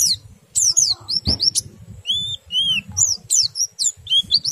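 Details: Oriental white-eye singing to set other white-eyes singing, with varied high chirps, downslurred whistles and a few longer arching notes separated by short gaps; a soft thump near the start over a faint low background.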